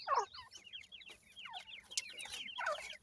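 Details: Captive-bred Grey francolin chicks, male and female, peeping constantly. Short, sharp, falling notes tumble over one another in a dense stream, with a louder burst at the start and again at the end.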